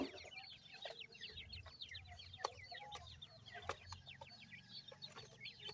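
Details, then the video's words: Chorus of caged francolin (partridge teetar) chicks at a feed, with pheasant chicks present: rapid, continuous high downward-sweeping peeps, punctuated by a few sharp clicks over low background hum. "partridge teetar baby feed"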